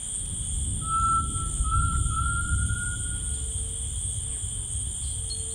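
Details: Tinamou singing in rainforest: one long, pure whistle held almost level and rising faintly, lasting about two and a half seconds. Softer, lower whistles follow. A constant shrill insect drone and a low rumble fill the background.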